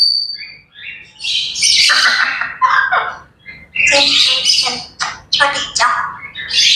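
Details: Grey parrots chattering in the morning: a busy run of squawks, rasping bursts and short whistled notes, loud and irregular, with brief pauses between clusters of calls.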